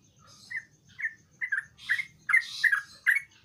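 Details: Sooty-headed bulbul singing, used to prompt a reluctant bulbul: a few spaced, slurred chirps that grow louder and closer together, with some harsh noisy bursts.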